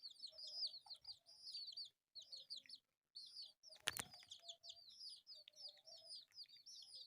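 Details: Four colourful pet chicks playing; thin, high peeps come in scattered bursts with a few silent gaps, and a sharp click or knock sounds near the middle.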